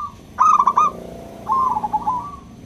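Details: Local zebra dove song used as a lure to stimulate reluctant doves to sing: two bursts of quick, stuttering coos around a steady pitch, the second softer and longer, with a faint continuous hum underneath.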